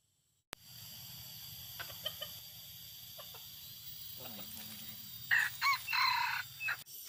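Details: Red junglefowl in forest during a hunt; faint taps and a low murmur, then a burst of loud, rough harmonic calls repeated three times, with a final softer note over constant hum.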